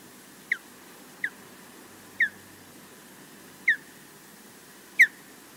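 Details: Osprey alone at its Loch Garten nest in Scotland, calling against a distant intruder: five loud, piercing, down-slurred whistles at uneven intervals of about one second, the last strongest, with steady faint background hiss.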